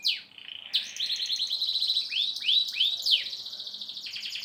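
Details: Canary song, durasi style: a high fast trill broken by several looping upward-and-down swept notes, then a continued rapid chatter.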